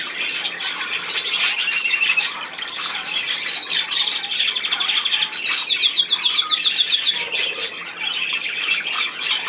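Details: Budgerigars in steady warbling chatter, many quick chirps and descending tick notes repeated at a rapid, uneven pace, with sharp clicks over a busy background of more birds.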